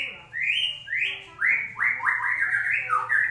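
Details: White-rumped shama song used as a lure to get a bird that has stopped singing to sing again: a fast run of loud, clear whistled notes, mostly rising slurs, with a low hum beneath.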